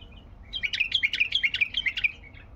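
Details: Baghdadi bulbul delivering a rapid 'tayyarat' run: about a dozen crisp, evenly spaced bubbling notes in two seconds, bright and loud throughout.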